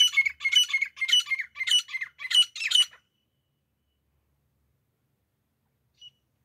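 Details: A calling grey francolin pair, used by hunters: a quick series of six loud, harsh, squawking double notes at roughly two per second, then about three seconds of silence with one faint short note near the end.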